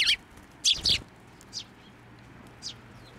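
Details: Sparrows at a Tenmangu shrine on 10 June 2024, flying onto a hand to be fed; a few short, high chirps, a pair close together near the one-second mark, then fainter single chirps spaced apart.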